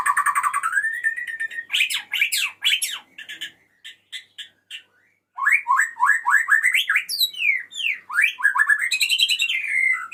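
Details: Male white-rumped shama singing to call the female: a dense, continuous flow of rapid rising and falling whistled notes and chips, a brief lull of soft notes, then an energetic run of sweeping notes.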